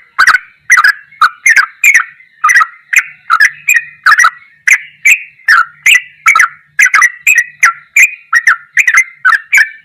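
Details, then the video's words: Long, steady run of a yellow-vented bulbul's goklikan ropelan song as training material: bubbly, slurred notes repeated rapidly and evenly, several per second, each opening with a sharp click. "MASTERAN TRUCUKAN TERBAIK || ROPELAN GOKLIKAN TOP"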